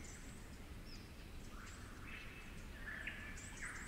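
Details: Werrikimbe Wilderness Superb Lyrebird, known locally as a 'flute lyrebird': after a quiet start, flute-like whistled notes with small upward flicks build toward the end, over low rumble and faint high bird calls.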